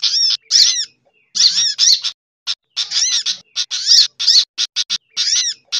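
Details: Sunbird lure recording mixed with other birds' calls: rapid, high, buzzy chattering calls in tight bursts, with sharp ticking notes between them.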